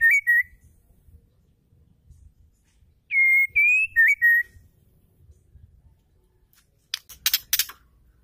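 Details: Female white-rumped shama song, used to get males singing: two short clear whistled phrases of level and dipping notes about three seconds apart, followed near the end by a few sharp broadband clicks.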